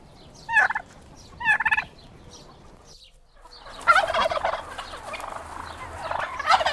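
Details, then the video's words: Two short, quick gobbling rattles from a turkey, a brief pause, then a longer, louder rolling gobble that carries on to the end. "Turkey Sounds, Turkey Calling"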